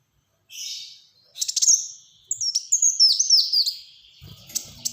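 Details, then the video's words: Black-throated sunbird in dense, rapid-fire song meant for prompting and tutoring: a thin high note, then quick bursts of sharp, sliding, twittering chirps, with faint clicks near the end. "Burung Kolibri Wulung Gacor Tembakan Rapat"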